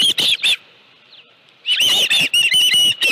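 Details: Three quick, shrill chirps from an osprey at its nest with a live fish, followed by about a second of near silence, then another string of piercing whistled notes; recorded late afternoon, 25 July 2018.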